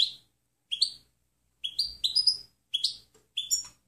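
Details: European goldfinch used to train other birds, giving spaced, short rising chirps in pairs, six brief twittering notes over four seconds with gaps between them.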